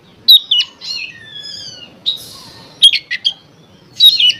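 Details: Lure song of an Oriental magpie-robin for provoking others to sing: clear whistled notes, a drawn-out descending whistle, short buzzy bursts and scattered chips with gaps between.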